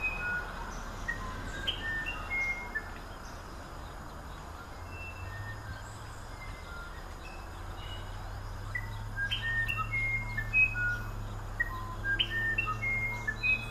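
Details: Elaborate song of the musician wren: a string of phrases of short buzzy upslurs and clear whistled tones at shifting pitches, coming in quick succession, with a low hum and forest hiss underneath.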